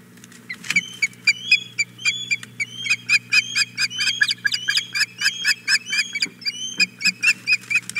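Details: Loud, insistent begging by a female osprey on her Hog Island Boathouse nest, 4 May 2017, after the male lands with a fish: rapid sharp whistled chirps, about two per second, mixed with clicks and rustling.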